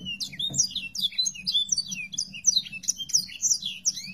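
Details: Sanger bird, recording used for training other songbirds to copy its song: a fast, continuous stream of high, sweet chirps and slurred whistles, with a faint low hum underneath.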